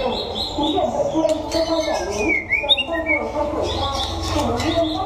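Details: Sunning white-rumped shama from Đắk Lắk, Vietnam, singing in a contest: a smooth whistled phrase with a rising-falling slur in the middle, softer scattered notes around it, over steady low background noise.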